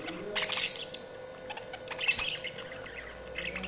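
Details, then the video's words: A brief stretch of budgie chirping: a few high squeaky notes and a short warbled burst, fairly quiet against a constant background hum. "Budgies Sounds| Budgies Chirping sound"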